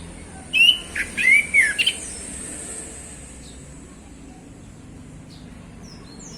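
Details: Orange-headed thrush, a male, in relaxed 'ngeplong' afternoon song: a brief burst of four bright whistled notes sliding downward, then several seconds of quiet background hiss with faint distant chirps.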